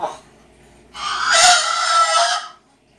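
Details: Big grey pet cockatoo, male, indoors, angry and fluffed up after hearing a gagging sound: a single loud, harsh, raspy growl lasting about a second and a half, preceded by a faint short note, in a quiet room.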